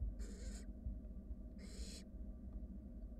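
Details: Two loud raspy snoring hisses, each about half a second, from barn owl chicks begging in a wild nest box as a sibling swallows a rat, over low rumbling background.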